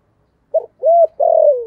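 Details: Cooing from a spotted dove used as a decoy for wild doves, in the 'thổ' singing style: a short clipped note, then a smooth arched coo and a long wavering coo that sinks at the end.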